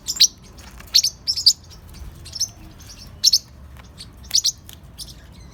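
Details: Young parrotlets of three to four months, described as very playful, give scattered high, squeaky chirps. Some are single and some come in clusters of two or three, with quiet pauses of about a second between bursts.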